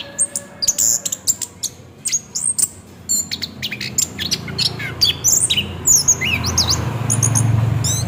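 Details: Orange-headed thrush singing in a rolling style, used as a lure to prompt another bird to sing: quick high whistles, trills and sliding notes in bursts, with a low rumbling background growing toward the end.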